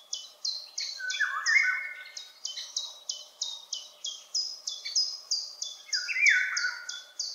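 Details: Distant, high-perched Eurasian golden oriole singing mellow, falling flute phrases twice, amid a steady series of sharp high notes from another bird repeating about every third of a second.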